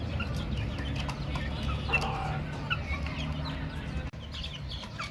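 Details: Baby chickens peeping rapidly, many short high chirps crowding together with a few louder calls, above loud low-frequency rumble; a brief drop to near quiet near the end.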